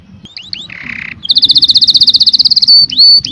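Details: Canary song opening with a few rising whistled slurs and a harsh buzzy note, then a steady rapid trill of bright, high pulses followed by clear upslurred whistles.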